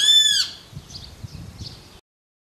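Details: A great kiskadee (Pitangus sulphuratus) in Córdoba, December 2012, gives one loud, harsh, nasal call lasting under half a second, followed by faint rustling before silence.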